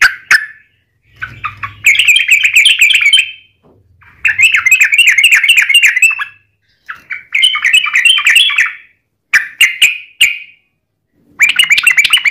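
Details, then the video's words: Sooty-headed bulbul used as a singing lure: several separate bursts of rapid bubbly, chattering notes, each about a second or two long, with silent gaps and faint low rumbling between. "trucukan gacor ROPEL PANJANG buat pancingan trucukan agar bunyi"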